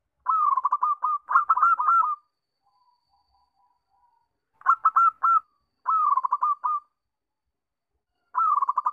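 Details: A zebra dove song used as a lure to prompt other doves to call: rapid, stuttering cooing trills around a soft mid pitch, in four roughly one-second bursts with short pauses between.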